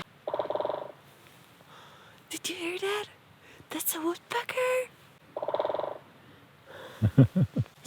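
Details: A woodpecker, unseen somewhere up in the trees, drums in two rapid, machine-gun rolls of under a second each, like a drill on wood; people talk between the rolls.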